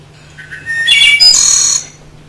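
A Wood Thrush sings one phrase: soft low introductory notes, then a clear flute-like passage ending in a high, shimmering trill, over a faint electrical hum.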